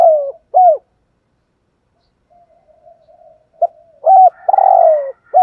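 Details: Spotted dove used as a decoy to provoke other males, repeating arched coos, then soft low murmurs, a brief note, a level coo and a long rough coo drifting downward before another arched coo.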